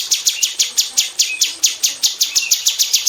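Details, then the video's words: Female bulbul (cucak cungkok) in an aviary, close 'tembakan' song for tutoring magpie robins: steady rapid sharp high downslurred strokes, about five per second, with faint short whistles. "KICAU SUARA BURUNG CUCAK CUNGKOK BETINA TEMBAKAN RAPAT DI KANDANG AVIARY UNTUK MASTERAN MURAI BATU"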